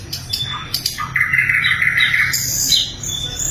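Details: Flycatcher known locally as sikatan londo, kept as a training bird for other songbirds, giving a sustained buzzy note that holds steady, among quick high chirps and short sharp trills.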